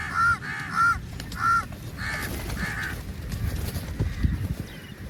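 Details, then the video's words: Crows caw while feeding together: three loud, raspy caws in quick succession, then two longer, softer ones, before a stretch of low rumbling noise. "Crow sounds"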